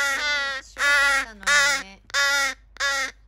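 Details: Rescued young crows in care, some disabled, calling very noisily on 14 July 2020: loud, harsh, nasal caws, each about half a second long, coming one after another with short gaps.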